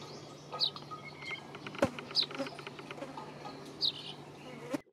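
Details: Brown rock chat uttering three short, high, clipped notes about one and a half seconds apart, with a sharp click midway and a low steady hum underneath.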